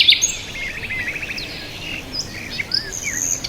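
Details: A soft rattling trill runs in the first second, followed by scattered thin whistles and downslurred chirps from birds in a calm, hushed setting.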